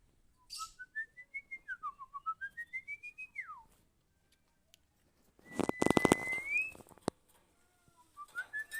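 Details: A female Oriental magpie-robin, used to train other birds to sing actively: a quick series of about a dozen short rising whistled notes, a falling slur, then a long upward-sliding whistle over clicking noises, with more short notes at the end.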